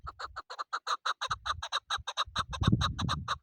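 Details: Chukar partridge for hunting delivers a steady stream of loud, evenly spaced clucking chuk notes, about six per second. Low thumping noises come and go underneath.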